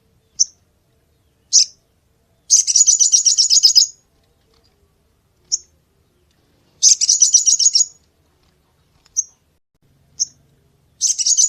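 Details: Crested jay giving sharp tutor-style song: isolated high chips alternate with three fast, buzzy rattles, each around a second or more of evenly pulsed notes, separated by quiet gaps.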